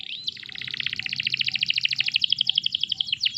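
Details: Canary song used as a master recording to prompt other canaries to sing: a rising whistle opens a long, fast trill of repeated high notes that gradually quickens and brightens, ending with a few sharper notes.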